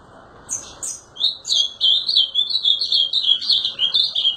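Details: Azulão song: after a few sharp high notes, a steady string of rapid warbled, slurred phrases runs without a break to the end.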